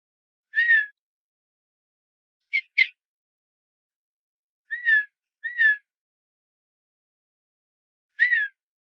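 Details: Male Redhead duck in Fort Erie, southern Ontario, courting a female, making a quiet whistling sound: short, nasal, cat-like mewing notes bending downward, singly or in quick pairs, with long silent gaps.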